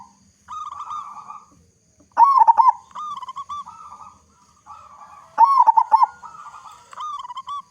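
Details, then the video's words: Loud local zebra dove, used as a lure for other doves, repeating rolling, vibrating coo phrases roughly every three seconds, each opening with a strong pulsed burst and trailing into softer level notes. "Perkutut Lokal Gacor Suara Besar Cocok Untuk Pancingan Semua Jenis Burung Perkutut Agar Cepat Bunyi"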